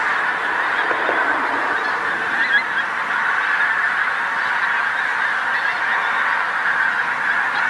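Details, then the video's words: Pink-footed geese, a big flock settling on a roadside field on the North Norfolk coast, England, at sunset; continuous chorus of high honking from countless birds, with a few sharper individual calls standing out. "Pink-footed Geese North Norfolk"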